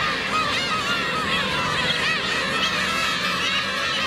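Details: Adult black-tailed gulls cruelly attacking a gull chick, recorded on a 4K camcorder: harsh, wavering mews and sharp yelping cries from many birds at once, forming an unbroken, busy colony clamour.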